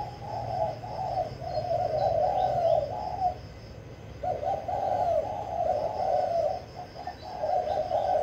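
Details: Spotted dove serving as a decoy, quick to sing, giving two long runs of deep, purring coos separated by a pause of about a second.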